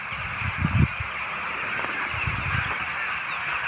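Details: A huge roadside flock of rooks, perhaps tens of thousands of birds, makes a dense, unbroken din of harsh, overlapping caws, with low rumbles of wind or handling and camera noise near the start.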